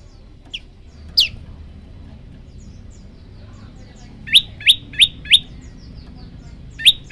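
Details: Prenjak lumut prinia song: a few scattered high chirps, then a brisk run of four ringing upslurred notes and one more after a short pause, over a quiet low background rumble.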